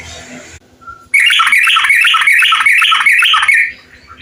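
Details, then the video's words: Bulbul song intended as a lure to make bulbuls sing: a dense, loud burst of bubbling, chattering notes lasting over two seconds, preceded by a hiss and a brief soft whistle. "KOMPLIT... MASTERAN dan PANCINGAN untuk SEMUA jenis burung TRUCUKAN biar gacor"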